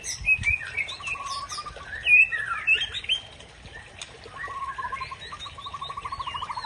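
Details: White-rumped shama (Murai Aceh) singing to provoke an opponent. High swooping whistles lead into a fast, even, rattling trill that recurs, then a long regular buzzy series of pulses at the end.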